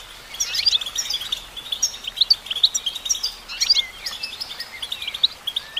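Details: Goldfinch song from a female bird, a continuous bright twitter of quick chirps, trills and short slurred notes running almost without pause, with faint hiss behind.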